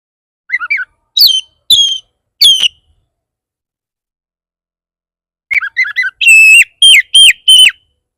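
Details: Oriental magpie-robin singing a provoking song meant to make other magpie-robins respond: scratchy low chatters and clear whistled notes in two bursts separated by a silent gap of several seconds.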